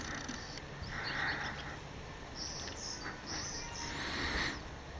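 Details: Cedar waxwings eating apple blossoms give thin, very high, buzzy lisping notes in a loose series; a steady high insect-like hum and broad background noise run underneath.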